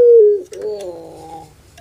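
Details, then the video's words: A kept puter pelung dove in a cooing concert. A loud, steady, mid-pitched note slides slightly down, breaks off, then gives way to a softer, wavering, drawn-out coo that fades away. "KONSER ANGGUNGAN PUTER PELUNG"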